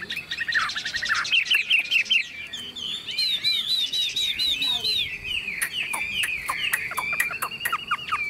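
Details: Chinese hwamei singing from a shaken, hand-carried cage: quick buzzy trills giving way to looping slurred whistles and scattered sharp clicks, delivered almost without pause.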